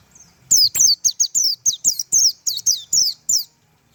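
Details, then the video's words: High, piercing tembakan song of a Japanese white-eye, a steady run of about a dozen quick downslurred notes, each a thin sharp sweep, over faint low knocking sounds. "tembakan burung pleci"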